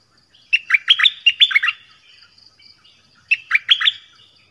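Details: Bird locally called nok dok taeng in Thai, giving a varied song of many phrases: two bursts of rapid, clear whistled notes, swooping up and down, each burst about a second long with a pause between.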